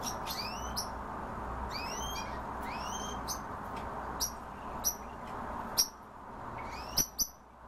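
Himalayan bulbul giving quick, bright, upward-sweeping chirps in loose bursts every second or so, over a steady low background rumble.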